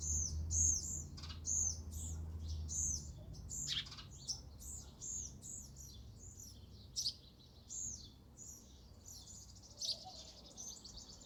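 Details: Sparrows chirping steadily at a feeder, a rapid run of short, high, bright chirps, some doubled, continuing for over ten seconds with uneven spacing and a low background hum.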